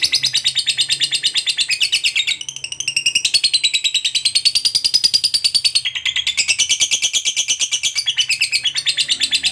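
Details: Long ngekek trill from a lovebird, meant to prompt other lovebirds to sing: a fast, unbroken stream of shrill chattering notes that rises and falls in waves, briefly dipping around two seconds in, then running on.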